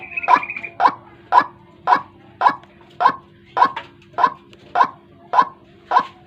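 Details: Lure call of a white-breasted waterhen for morning trapping, with loud clipped croaks repeating steadily about every half second.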